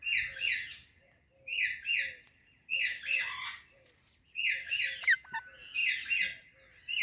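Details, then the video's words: Ringneck talking parrot, a rose-ringed parakeet, repeating harsh chirping squawks in bursts about a second apart, with a soft low note between phrases and a brief sharp tap. "Ringneck Talking Parrot Natural Sounds | Calming Parrot Chirping Sounds"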